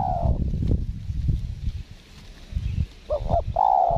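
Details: Spotted dove cooing during lure-bird trapping at a windy site, where the wild bird is wary and not aggressive: a cooing phrase cut off at the start, then a short double note and a long mellow coo at the end, over rumbling wind and handling noise.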